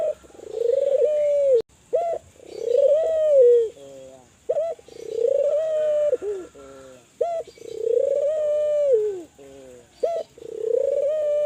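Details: Spotted dove of the Kelantan type cooing steadily to stimulate other doves: about five phrases, each a brisk short note then a long, level, throaty coo falling away at the end, over a faint continuous hiss.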